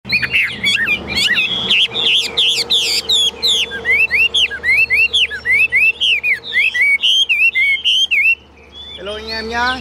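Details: Caged Chinese hwamei, a tame bird of the 'ngũ trường' build, singing in the loud high 'cao cầu' style: rapid repeated whistled notes sliding up and down, about nearly four per second, ending abruptly with a man's voice.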